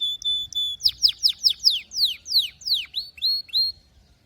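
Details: Singing canary gives a steady held whistle, then a series of about a dozen sharp downward-sweeping notes that slow and soften at the finish.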